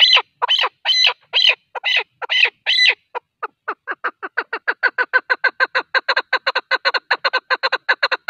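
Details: Hunting call of a male partridge: a few loud, shrill chuck notes open the series, then it speeds into a quick, even chatter of shorter clucks that runs to the end.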